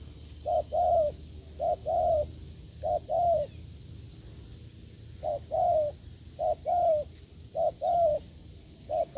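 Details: Wild spotted dove giving strong coos during a decoy test. Low doubled phrases each pair a brief note with a longer, gently falling one. They come in groups with pauses between, over soft background noise.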